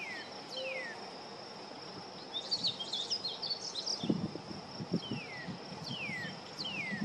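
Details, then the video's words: Juvenile painted bunting singing in a local park: a soft, high, jumbled warble lasting about a second. Repeated downslurred whistles from another bird, a steady high insect drone and a few low knocks are also heard. "Juvenile Painted Bunting singing"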